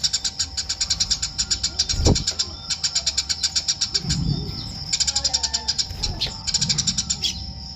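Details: Eurasian tree sparrow calling almost continuously with rapid, evenly spaced high chirps, interrupted by a click and a brief low rumble.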